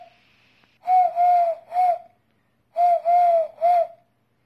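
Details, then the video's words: Eurasian collared dove (Streptopelia decaocto) giving two rounds of its three-part cooing call, a soft hollow coo-COO-coo with the long middle note, in a quiet setting. "Streptopelia decaocto sound Türkentaube ΗΧΟΣ ΔΕΚΑΟΧΤΟΥΡΑΣ"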